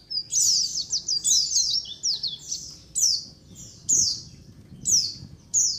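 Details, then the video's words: Colony of white-eyes calling to lure others: a quick run of high, wavering chirps at the start, then clear descending trilled bursts repeated about once a second. "SUARA KOLONI PLECI COCOK BUAT PANCINGAN PLECI AGAR CEPAT NGALAS | SUARA PIKAT BURUNG PLECI"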